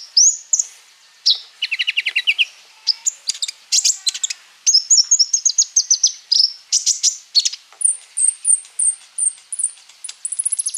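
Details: Flowerpecker singing at full volume as a lure for other songbirds: dense bursts of sharp high ticks, a lower buzzy trill, rapid chattering runs, and a closing series of thin high notes repeated evenly.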